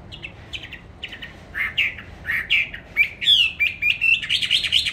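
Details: Songbird kept in a cage, bought 19 May 2020, regularly fed and said to sing anywhere at any time. Scattered short chirps build into bright, slurred whistled phrases that grow louder toward the end.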